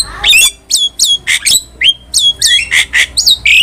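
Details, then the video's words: A lively Javan myna sings for a cage-bird training recording: a rapid string of sharp, high whistled notes and rasping squawks, several dropping steeply in pitch, delivered almost without pause. "MASTERAN JALAK KEBO GACOR"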